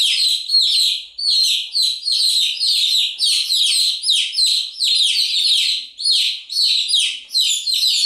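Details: Nonstop peeping from many chicks, sharp falling chirps packed densely together and pulsing slightly in loudness throughout.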